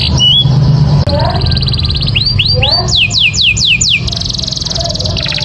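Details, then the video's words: Canary master song with a brief piping note, a long buzzy trill, then a run of rising-falling whistled sweeps ending in another rattling trill; faint low hum beneath. "SUARA KENARI GACOR UNTUK MASTERAN"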